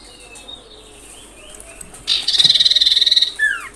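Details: Common iora call used to provoke other ioras: a loud, rapidly pulsed high trill of about one second, ending in a descending slurred note, over a background hiss.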